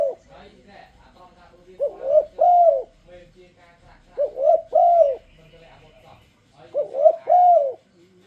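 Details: Spotted dove calling to lure other doves into singing along, giving three mellow three-note coo phrases roughly every two and a half seconds, each ending in a drawn-out hollow coo, with faint background murmur.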